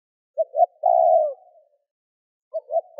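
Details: Spotted dove calling to stimulate wild doves, a single phrase of two brief low notes and a sustained hoarse coo, with the next phrase beginning as the recording ends.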